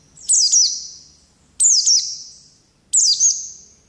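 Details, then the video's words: Oriental white-eye of the ngalas type, from a long-duration masteran tutor recording of lively ngerol song: three separate high, thin twittering phrases, each with a quick descending zigzag, spaced about every 1.3 seconds with quiet gaps between. "Pleci Ngalas Gacor Ngerol Durasi Panjang"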